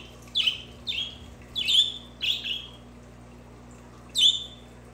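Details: Budgerigar repeats a clear, bright, falling chirp four times in quick succession, pauses, then gives one more, each note ringing briefly against a quiet hum.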